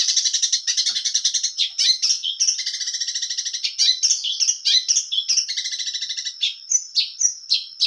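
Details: Energetic Long-tailed shrike song packed with varied material: long trilled rattling runs with a buzzy lower band, broken by sharp squeaky chips and clear whistles, delivered almost without pause over a faint steady high whine.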